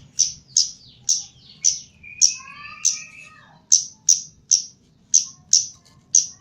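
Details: Caged Chestnut-capped laughingthrush, Javan kemade, trained for mental conditioning: loud, sharp high chirps repeated about every half second, with a brief burst of lower warbling notes in between.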